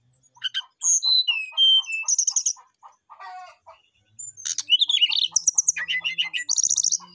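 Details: Brown-chested jungle flycatcher singing to a rival: descending whistled notes and crisp trills over a row of short low chirps, then an energetic burst of buzzy, rattling phrases.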